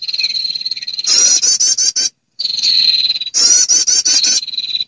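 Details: Female prinia lure call to attract males: long steady high whistled tone broken by loud rattling buzzy trills in quick pulses, repeated twice with a brief pause between.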